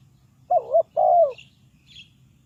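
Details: Spotted dove used in bird trapping as a lure gives a single cooing phrase: a brief dipping double coo, then a fuller, longer coo that tails downward. Faint high chirps follow, over a soft low hum.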